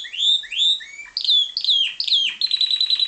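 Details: Captive-bred variegated Timbrado canary singing: a series of rising whistled slurs, then quick descending notes, ending in a rapid, metallic, buzzy trill held at one high pitch.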